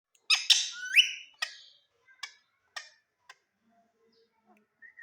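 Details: Indian ringneck parrot (rose-ringed parakeet) calling at a mirror: a burst of harsh, raspy squawks and a rising whistled note, then shorter scratchy chatter notes thinning out over five seconds.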